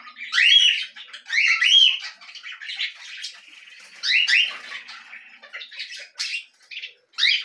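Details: Belgian canary in song, giving bright looping whistled notes and buzzy rolls, then quicker chattering bursts separated by short gaps.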